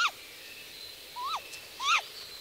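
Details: A female great grey owl on the nest gives three short, rising-then-falling whistled contact calls, the last two closer together, over a faint steady hiss; the male's lower voice is in the background.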